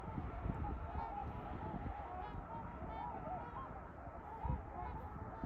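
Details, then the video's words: Trumpeter swans in winter, a group giving overlapping short nasal honks, several brief rising-and-falling calls scattered through the clip, over a steady low rumbling background noise. "Trumpeter swans this winter. Can you hear their honks."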